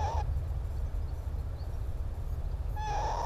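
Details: Northern lapwings in breeding season on Timiryazev field, recorded 14 and 28 May. Two short wheezy calls rising and slurring upward, one at the start and one near the end, over constant heavy low wind rumble.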